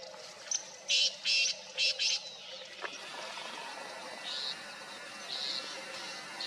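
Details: A black francolin, very far away, gives a quick burst of four or five harsh, grating notes, then fainter answering notes follow over steady background hiss.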